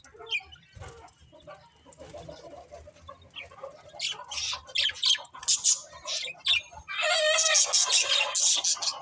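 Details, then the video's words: Budgies start softly with scattered clicks and chirps, then rise into loud, rapid, high twittering and buzzy warbles in the final seconds. "Cute Budgies Chirping Sounds"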